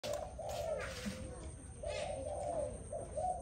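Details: Dove singing: a run of soft, low, hollow coos repeated roughly every half second, rising and falling slightly, over a constant hiss of background noise.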